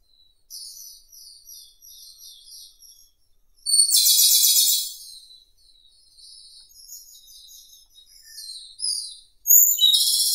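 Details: Japanese robin: quiet, high, repeated twittering notes, then a powerful rattling trill, more soft phrases, and a final loud trill.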